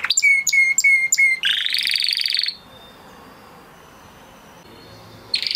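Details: Crested Spanish Timbrado canary from 2020 breeding in training song: sharp repeated notes with a clear whistle, a harsh buzzy burst, a near-silent pause with a faint thin tone, then singing resumes.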